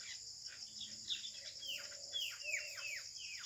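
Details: Common mynas fight over a nest hole in a date palm in a Bangladeshi village on an early May evening. A rapid series of sharp, downward-swooping squawks repeats about three times a second against constant buzzing insects.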